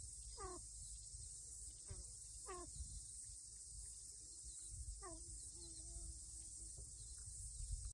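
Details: Pheasant chicks, wandered all over a lawn as their mother calls in distress, give three clear downslurred peeps about every two seconds, with fainter peeps between, over a steady high insect drone and low rumble.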